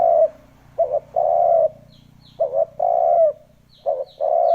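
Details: Lure recording of a spotted dove used to draw in wild doves: a brief two-part note followed by a long, even, hollow coo, repeated twice with a third starting, over a faint low hum and thin high chirps.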